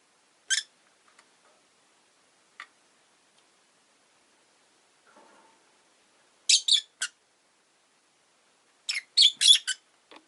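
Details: Several caged rosy-faced lovebirds near a window give isolated sharp chirps, then clustered bursts of shrill, scratchy notes toward the end, with a faint low murmur midway.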